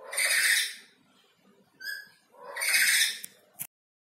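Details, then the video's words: A black-capped lory behind a window gives two harsh, raspy screeches separated by a short clear whistle, ending with a sharp click. "BERKICAU DIBALIK JENDELA, BURUNG NURI KEPALA HITAM MERAH MAUNYA BERKICAU TERUS"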